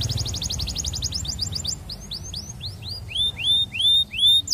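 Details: Canary song meant to woo a female and prompt other canaries to sing: a rapid rattling trill slowing into a series of rising, curved whistled notes that grow louder toward the end, with faint low rumble beneath.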